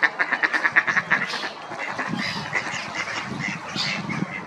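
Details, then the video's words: Swimming ducks giving a rapid run of short, evenly spaced nasal quacks over the first second, followed by looser, overlapping quacking from several birds. "Ducks quacking"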